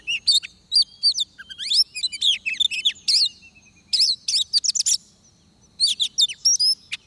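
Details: Oriental magpie-robin singing at a trapping site, with a decoy bird used: loud varied whistled song of slurred rising and falling notes, bursts of sharp high chips, and short pauses between phrases.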